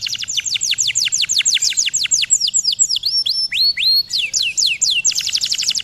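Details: Canary song meant for training other canaries to sing at home: fast series of steep descending high notes, then slower downslurred and upslurred whistles, ending in another rapid run of descending notes.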